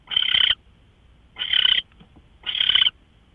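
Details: Three coarse, screechy hisses from an owl, each about half a second, separated by roughly one-second gaps; recorded before dawn at 5:27 a.m. on March 24, 2013.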